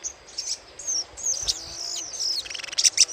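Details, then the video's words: Little spiderhunter chattering call used as a lure: a quick series of thin, very high chirps and short squeaky slurs over about three seconds, rising into a denser, louder burst near the end. "PANCINGAN SUARA CRECETAN SOGOK ONTONG"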